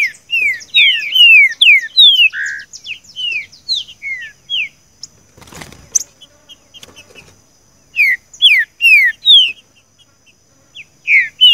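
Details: Green-winged saltator performing the "seu chico" song type for training a captive bird: fast series of downslurred whistles and a buzzy note, a crackling noise burst in the middle, then renewed loud repeated whistles.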